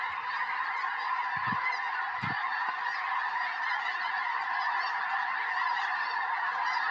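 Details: Massive flock of snow geese settling into a Tennessee field on January 21, 2026, ahead of a predicted historic snowstorm; constant layered honking fills the air, with two soft low thumps early on.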